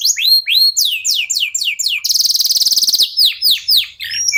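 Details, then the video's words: Local canary song used as a prompt to get other songbirds singing: rising whistled notes repeated rapidly, then a dense buzzy trill for about a second, followed by more sweeping whistles and a short rolled phrase. "KENARI LOKAL GACOR TOTAL, SEMUA IKUTAN BUNYI..PANCINGAN AMPUH BIKIN CEPAT GACOR"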